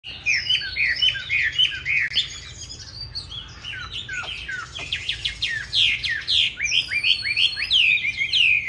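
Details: Chinese hwamei of the 'Lục Đậu' eye type giving 'hót đấu' fighting song, used to train other hwamei toward a smooth, unharsh song: rapid varied whistled phrases, rising and falling slurs and sharp downward strokes, rich and continuous.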